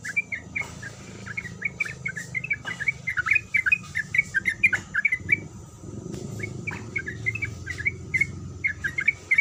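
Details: Sooty-headed bulbul female calling to a male: runs of quick, twittering notes with pauses between phrases, accompanied by scattered sharp clicks and a low background rumble.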